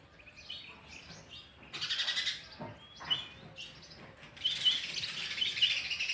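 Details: Sparrow chicks beg while an adult tries to feed them oversized food; thin scattered chirps give way to loud, harsh, high-pitched bursts of chattering, with a soft rustle in between.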